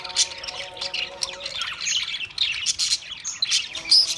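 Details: Australian parrots chirping: dense overlapping high chirps and short squawks, several per second, with steady low tones humming underneath through the first half.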